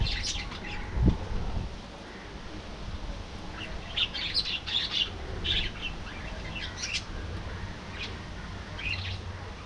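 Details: Budgerigars in a colony chatter with scattered short, high chirps and squeaks, spaced irregularly over a steady low background rumble, with one dull knock near the start.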